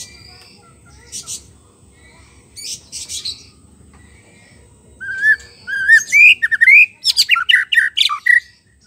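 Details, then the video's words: Song of a white-rumped shama, played as a lure for wild birds; a few thin high chips open, then a rapid, varied burst of whistles, upslurred notes and harsh clicks follows in the second half. "PANCINGAN MURAI BATU MACET BUNYI PANCING DGN SUARA MURAI BATU ASLI SUARA BURUNG HUTAN"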